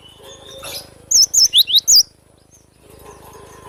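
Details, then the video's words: A cinereous tit in vigorous song gives a brisk burst of five piercing, high whistled notes with twisting rising and falling shapes, followed by quiet with faint distant chirps. "GLATIK BATU GACOR DENGAN SUARA ASLI"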